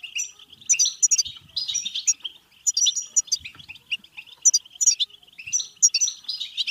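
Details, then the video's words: European goldfinch song in the bitbita style, used to stimulate goldfinches to sing, mate and become excited: dense, rapid twittering of high chirps and tinkling ringing notes in bursts, with a short pause near the middle and faint low thumps. "بتبتة حسون فعالة و رهيبة لتحفيز الحسون على التغريد و التزاوج و الهيجان سيغرد دون توقف"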